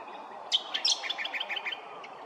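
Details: A laughing kookaburra at Hervey Bay, Queensland, gives a brief burst of rapid, chuckling notes, about eight a second, bouncing up and down in pitch over a soft, steady background hum.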